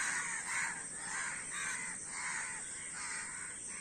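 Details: Several crows giving hoarse, nasal caws one after another, about two calls a second, overlapping and irregular, with steady background hiss.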